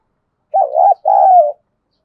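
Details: Decoy spotted dove cooing to draw in wild doves, which grow agitated and coo back: two low, hollow coo notes, the first wavering and broken, the second longer and smoothly falling, in an otherwise quiet setting.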